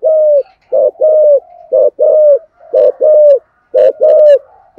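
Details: Spotted dove cooing to stimulate other doves to coo: steady repeated phrases of a short low coo followed by a longer drawn-out coo, about one per second, with faint clicks in the background.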